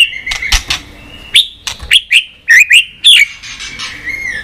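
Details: White-rumped shama song for stimulating and training birds, with dry clicking notes followed by a string of short, sharp, bending whistles in quick succession and a soft, drawn-out whistle at the close.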